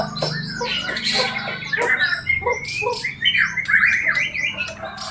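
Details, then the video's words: Bornean white-rumped shama, said to be in full vigorous, aggressive voice, giving harsh rasping squawks mixed with quick whistled slurs and rising notes over a steady low background hum. "Burung murai borneo gacor dan agresif"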